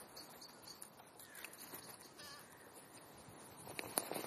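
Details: As winter nears, rooks come into a park. Faint, nasal cawing with a few short harmonic calls is heard against constant hiss, followed by a sharper burst of sound at the end.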